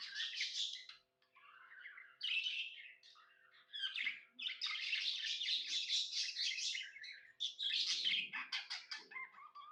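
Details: Pet budgerigar, called happy, chirping indoors in long runs of busy, buzzy warbling and scratchy chatter, broken by short pauses and ending in sharp clicking chirps, with faint low knocks.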